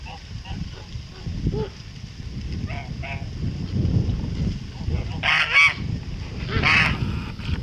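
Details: White male Kholmogory goose, 2014 bird, on a farm: soft distant honks early on, then two loud harsh trumpeting honks about a second and a half apart, against low rumbling noise.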